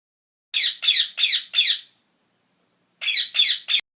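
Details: Bird gives harsh, raspy squawks in two runs, four close together, then a pause and three more, each note broad and scratchy.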